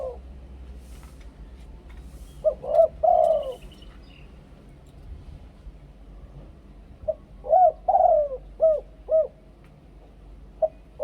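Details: Luring song of a spotted dove in the Thai two-kuk koo-ang style, a quiet stretch and then two bursts of hooked coos, one ending in a long sliding coo and the other a quick run of four clipped notes.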